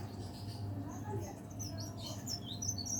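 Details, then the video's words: Caged leaf warbler, said to sing from morning to evening, gives scattered thin high chirps and short twittering notes, busier in the second half, over a steady low electrical hum. "burung pare-pare / cikrak daun gacor"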